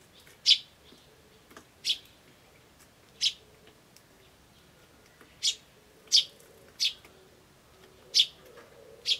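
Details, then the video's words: Eurasian tree sparrow chick chirping feebly, recorded 21 May 2013: eight brief, sharp, high chirps at irregular intervals of roughly one to two seconds, over a faint low cooing, likely a turtledove, and quiet hiss. "This sparrow chick is chirping more feebly than usual."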